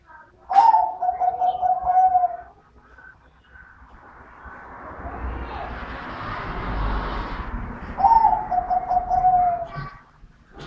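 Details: Dove with a middle-pitched voice gives two cooing phrases about seven seconds apart, each a quick run of pulsed notes falling gently, separated by a stretch of broad rushing noise.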